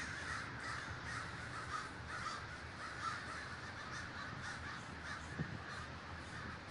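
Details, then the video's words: Communal gathering of crows in Davis, California: a steady mass of overlapping hoarse caws from a large flock, continuous throughout, with a brief faint knock near the end. "The Great Gathering of Crows"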